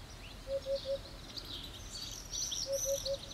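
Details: Hoopoe singing persistently on a roof tile, giving two triplets of gentle low hollow hoots, while other birds chirp and trill at high pitch behind.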